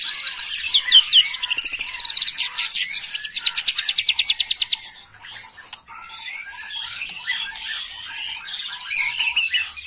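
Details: White-rumped shama in agitated 'macul' song, used to stir up young birds: a long, loud, rapid train of harsh, rattling high notes, then a quieter, busy jumble of twittering phrases.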